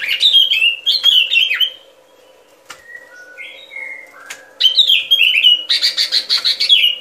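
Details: Sooty-headed bulbul song recorded as a trapping lure: downslurred whistled phrases and harsh chatter, a quieter stretch of soft lower whistles in the middle, and a faint steady hum underneath.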